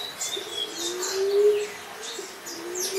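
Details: Common Emerald Dove with one soft, low, drawn-out coo that swells and fades, flanked by fainter coos, amid busy high chirping from other birds.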